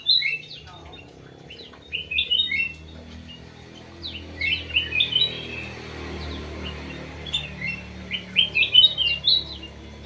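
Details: Crewet bird singing in quick twittering bursts of short high chirps and upslurred notes, the phrases separated by pauses of about two seconds, with a low hum underneath.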